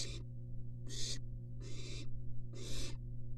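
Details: Three barn owls in their nest box, recorded by a University of Florida live nest cam. Four long, rough, airy hisses are spaced under a second apart, each ending abruptly, with a constant mechanical hum underneath.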